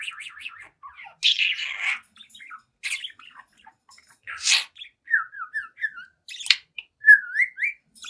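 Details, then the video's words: Pet budgerigar aged seven months singing at a mirror, harsh rasping squawks and scratchy bursts, then a series of short, clear whistled notes rising and falling, with a loud squeak between them. "Young Budgie Talks, Dances, and Sings in Front of the Mirror"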